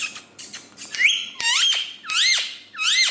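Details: A pet speaking parrot from India makes loud, rich whistles, each swooping up sharply, about one every half second. Faint squeaks come first, with some room echo.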